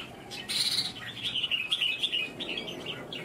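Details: Red-whiskered bulbul in a Vietnamese singing competition, a hard-fighting 'cafe' bird: a high, clear warbled phrase with slurred whistles running continuously for about two seconds over a soft background hum.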